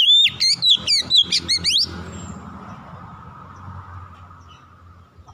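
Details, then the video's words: Oriental magpie-robin lure song for coaxing silent birds into song: a quick string of about ten loud, chopped whistles and trills in under two seconds, followed by steady hiss and rumble. "PANCINGAN SANGAT AMPUH MEMULIHKAN KACER MALAS BUNYI CEPAT GACOR"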